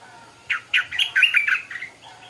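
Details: Brief morning phrase of a stripe-throated bulbul: a quick string of about eight liquid, chattering notes, slightly rising then easing off, lasting just over a second.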